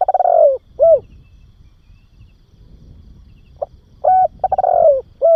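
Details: Spotted dove cooing for training and stimulating young doves: one phrase ending in a falling rolled trill and arched coo, a pause, then a second full phrase of short note, steady coo, descending roll and final coo.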